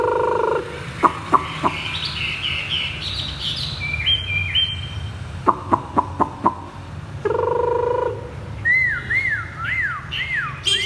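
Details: Chinese hwamei, a purchased cage bird, singing in the 'thắt cổ chai' style: stepped high whistles and sharp clicks broken by two steady low tonal blasts, ending in repeated looping, swooping whistles.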